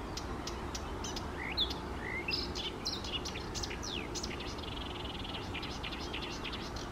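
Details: {'text': 'By small lakes on a May morning in 2024, a Eurasian reed warbler sings a rapid scratchy chatter of ticks and short rising notes, steady and unbroken over light background noise.'}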